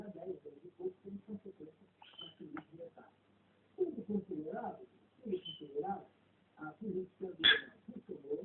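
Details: Pet cockatiel talking, saying goodbye with a repeated "tau" in a soft, speech-like chatter broken into short bursts, with brief high whistled notes and a sharp squeak near the end, recorded in a quiet room.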